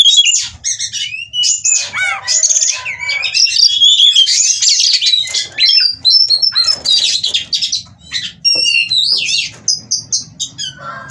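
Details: Oriental magpie-robin in breeding condition, wanting to mate and performing ngobra display, Cirebon, Indonesia breeding farm; rapid, dense outpouring of high whistles, sweeps and chattering notes, barely pausing, over a faint low hum.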